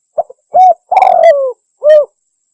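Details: Spotted dove lure call for hunting: a single phrase of brief soft cooing notes leading into a long, slightly falling coo, closed by one shorter rounded coo, with no other sounds.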